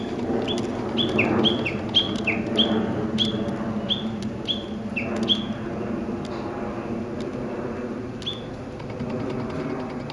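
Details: Japanese bush warbler in park woodland, dated 06/12, giving a quick burst of high-then-low whistled note pairs for about three seconds, then sparser single phrases spaced a second or two apart, with steady low background rumble.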